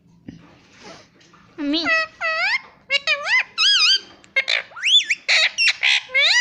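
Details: Talking Indian ringneck parrot at home, taught to say "Mummy", giving a rapid string of reedy, upward-sweeping and arched mimicked syllables that tumble together toward the end, with faint room noise underneath.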